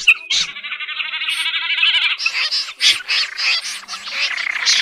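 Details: Common snipe calls used for night net-trapping in August: a long, even, rasping trill for about two seconds, then a rapid run of harsh, scratchy, high, dry notes.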